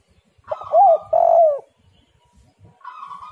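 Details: Spotted dove cooing used to lure other doves: one strong phrase of an arched note and a longer sliding-down coo, then quiet, then a buzzy higher tone at the end.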